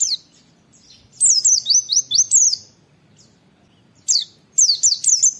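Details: Oriental white-eye, a training recording of "wit wit" calls: two bursts of high, quick, sharply falling whistled notes, each run of about four to five, separated by a pause of nearly two seconds.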